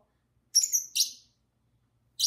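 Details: A pair of pet lovebirds sings and talks: two quick bursts of shrill, high, buzzy chirping, then silence before a final chirp starts.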